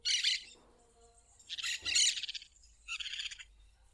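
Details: Plain parakeet heard in nature, uttering three rough, rasping chattering bursts roughly a second and a half apart, the middle one longest and loudest, over a quiet background.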